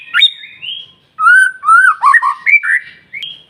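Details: Persistent white-rumped shama song used as a lure for other shamas: a sharp high note and flat whistle, a pause, then mellow lower whistled phrases, rising glides and a final sharp high whistle.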